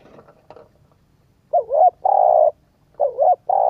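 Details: Spotted dove cooing to stir up a decoy bird: after faint low murmurs, two mellow phrases, each a short wavering note and a longer steady coo, about 1.5 seconds apart.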